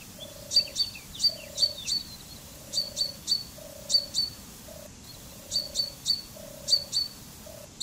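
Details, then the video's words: Common chaffinch (Fringilla coelebs) repeating short clusters of high sharp notes, with a low humming tone pulsing regularly underneath. "Canto del Pinzón Común"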